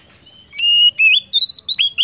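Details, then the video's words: Lure song of an Oriental magpie-robin to get other birds singing: clear sustained whistles followed by quick rising and falling whistled notes in rapid succession. "PANCINGAN KACER AMPUH!"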